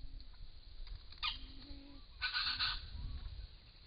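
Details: Deep, low hollow notes from a wild Common Bronzewing in Australia, recorded with a camera trap during displays; several short 'oom' tones spaced irregularly, mixed with bursts of broadband scratchy noise.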